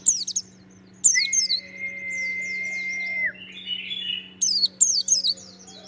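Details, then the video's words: Caged-style white-eye of the Merapi 'dakun' type sings in the 'tembakan syahdu' style: bursts of very high, thin, rapidly falling chirps, a long steady whistled note held about two seconds, then a buzzy warble and more descending chirps over a low steady hum. "pleci dakun merapi tembakan syahdu"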